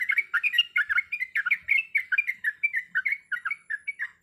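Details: A female sooty-headed bulbul in breeding condition calls to the male with a lively string of clear, slurred chirps, rising and falling, about five each second, with brief gaps late in the run.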